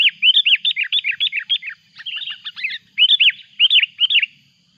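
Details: Loud Sooty-headed bulbul calls as a rival comes near, used to lure birds in the mountains: rapid runs of bright, arched whistled notes, a softer twittering passage, then further quick groups of two or three notes.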